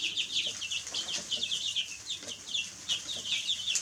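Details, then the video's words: Several baby chickens cheeping together: rapid, high, slurred-down peeps, many per second and irregularly spaced, forming a steady shrill chatter. "Baby Chicks Chirping Sounds"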